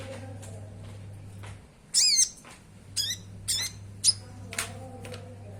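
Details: Common iora (konin) song used as a lure to make caged birds sing. A few sharp, high chirps and short whistled phrases are spaced about half a second apart over a steady low hum.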